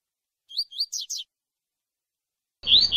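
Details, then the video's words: Double-collared seedeater singing one tui-tui phrase for contest training, two upslurred whistles then two downslurred buzzy notes, followed after a pause by a brief loud noisy burst. "COLEIRO TUI TUI"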